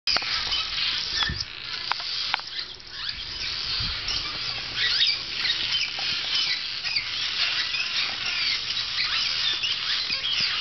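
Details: Barn swallows (Hirundo rustica) that visit every summer, a dense, unbroken flock chorus of high twittering and squeaky chatter with no clear pause.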